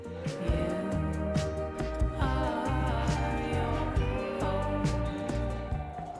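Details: Soulful music with a singing voice over steady instrumental backing; no animal sounds.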